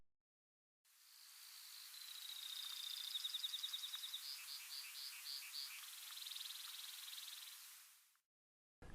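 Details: A few Brewer's Sparrows resume singing in denser sagebrush shrubland near Silver City, Montana, at sunrise in July 2022: a long, high canary-like run of buzzy trills and rapid notes changing speed and pitch, lasting about seven seconds.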